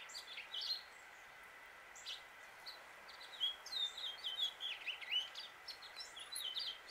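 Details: Male house finch in Suffolk, Virginia, USA: a few isolated chirps, then a lively warbled phrase of looping, slurred notes from about three and a half seconds to the end, over steady hum.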